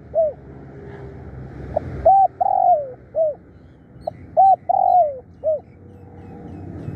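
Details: Spotted dove used as a decoy bird, calling fiercely and often: short rising-falling coos and a longer drawn-out descending coo, given in two similar phrases separated by pauses, with low background rumble.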